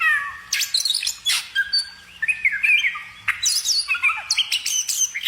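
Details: Songbird in full song, a rapid varied run of whistled and chirping notes sweeping up and down between low whistles and high thin squeaks, with short pauses between bursts.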